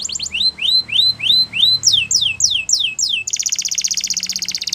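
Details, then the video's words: Timbrado canary sings repeated rising slurs, shifts to higher falling slurred notes, then breaks into a dense, rapid trill lasting over a second. "Timbrado Canary Singing"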